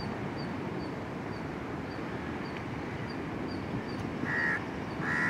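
Plover giving two short, harsh, grating calls near the end, over steady low background rumble and faint, regular high ticking.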